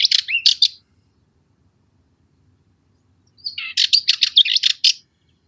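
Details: Cyprus Warbler song: a short phrase opening with a slurred note and dry rattles, then after a pause a longer run of rapid, harsh, evenly pulsed chatter, in a quiet setting.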